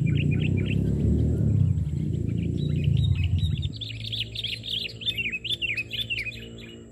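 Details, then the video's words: Sooty-headed bulbul heard during bird trapping, singing from the ground: rapid bubbly whistled notes that grow clearer after a loud low rumble fades out midway. "Mikat Burung Kutilang"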